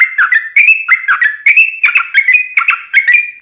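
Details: Yellow-vented bulbul (trucukan) delivering an energetic ropel song meant to provoke other birds into singing: dense, bubbling whistles rising and falling in quick repeated bursts, each edged with sharp clicking notes.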